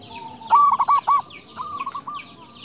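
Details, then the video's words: Local zebra dove singing strongly, meant to lure and stir up other doves: a burst of four or five rapid throbbing coos, then a softer trailing run; faint high chirps of other small birds behind. "PERKUTUT LOKAL GACOR SUARA BESAR"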